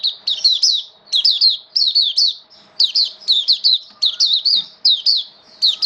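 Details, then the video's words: Oriental white-eye, a caged hobby bird, singing on 8 October 2022 in wet rainy weather: rapid bursts of three or four high, sweet, wavering whistled notes, repeated in short phrases with brief pauses, indoors. "Mata Puteh Buka Sing"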